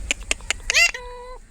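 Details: A pet Alexandrine parakeet gives three quick dry clicks, then a harsh, rising-and-falling screech and a steady, nasal held note, all within about a second, while its owner talks to it.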